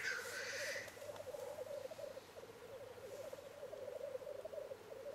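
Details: Displaying black grouse males at their lek arena, courting females and fighting: a brief harsh hiss opens, then continuous low, pulsing, bubbling rookooing carries on unbroken.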